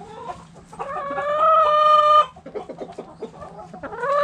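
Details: Rooster crowing in a backyard chicken coop among hens: a long, loud, even crow held for about a second, followed by quick clucking from hens and a rising call at the end.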